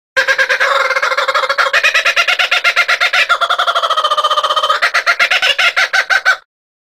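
A kookaburra's loud cackling laugh, rapid harsh notes about eight to ten per second, rising and falling for six seconds, then stopping abruptly.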